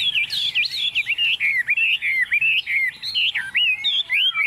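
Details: Tame, hand-held Chinese hwamei singing self-assuredly on a table: loud, continuous series of bright, looping whistled notes, each slurred up and down, delivered quickly and steadily.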